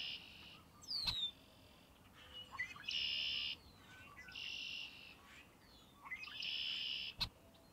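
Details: Red-winged blackbird singing: several long buzzy trills, each about half a second to a second long, spaced a second or two apart, with a sharp descending whistled note between them and a faint background hiss.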